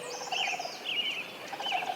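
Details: Sandhill cranes bugle from a wetland near an alfalfa field, where a pair was seen with two young colts: rolling, rattling trumpet bursts at a distance, roughly one every second, with other birds calling faintly among them.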